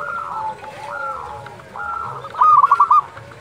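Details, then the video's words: Zebra dove, local type, calling at dusk: a short, close, trilled burst of rapid coo pulses near the end, over continuous softer cooing from more distant doves. "perkutut lokal gacor panggilan waktu senja"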